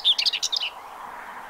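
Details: A common whitethroat sings in spring, 15 April 2023, at Séné Nature Reserve, Morbihan, France: one quick, scratchy, jumbled phrase of high chattering notes lasting under a second, followed by faint background hiss.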